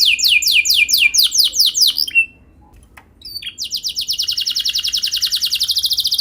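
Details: Canary song used to coax other canaries into singing; rapid descending chirps, a brief silence, then a long, very fast rolling trill.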